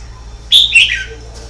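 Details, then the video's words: Red-whiskered bulbul singing continuously: a single short, loud warbled phrase of about half a second. It starts high and bright, then slurs downward in a quick, liquid run. A low steady hum sits underneath. "CHÀO MÀO HÓT LIÊN TỤC"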